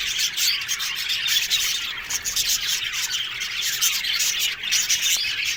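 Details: Budgerigars kept as an aviary colony fill the air with steady bright chirps, trills and scratchy warbling notes, many birds calling over one another in an unbroken stream.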